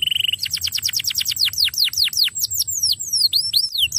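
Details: Canary singing, used to coax a silent canary back into song: a brief high trill followed by a fast series of downward-sweeping whistled notes, evenly repeated and clear over a low background hum.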